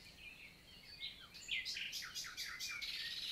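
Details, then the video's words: Wild common nightingale recorded 11 June 2023 in the Célé valley, France, daytime singing: faint whistles, then a loud strophe of rapid downslurred notes repeated several times, quick and emphatic. "NIGHTINGALE MORNING SONG"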